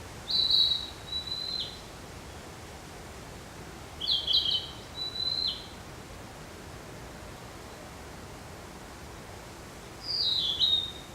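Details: Narcissus flycatcher song: three short, high whistled phrases with quick rising and falling notes, spaced several seconds apart over steady quiet background noise.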